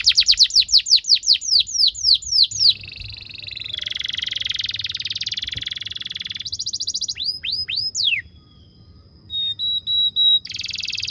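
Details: Canary training song for young birds: quick falling whistles, long buzzy rattling rolls, a few swooping slurs, a short pause, then steady pure whistled tones and another roll.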